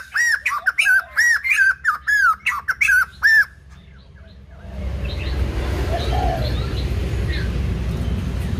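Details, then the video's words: Young white-crested laughingthrush in voice training: rapid series of loud, ringing arched notes with harsh overtones, about eight in three seconds, then the song stops and a broad hiss with faint distant whistles takes over. "Khướu Đầu Bạc / Chim Bồ Chao / Ép Giọng Chim Non"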